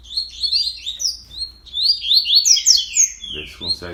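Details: Double-collared Seedeater singing at dawn on 31 October, a quick bird bred for contests: tumbling chains of bright, slurred whistles, ending with a man talking over the last notes.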